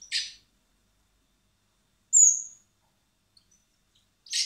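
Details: Hand-fed common blackbird nestlings at a wildlife rescue centre in spring, to be released later; three brief high scratchy squeaks spaced one to two seconds apart, with silence between.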